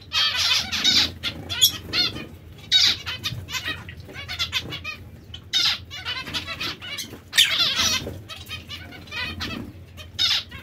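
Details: Zebra finch breeding pairs give bursts of loud, buzzy nasal calls separated by quieter stretches of soft chatter, the bursts recurring every second or two.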